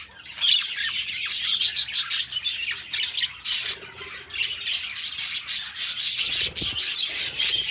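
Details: Companion budgies keep up a lively warbling chatter, scratchy squeaks and high chirps in overlapping bursts, with a short soft thud near the end.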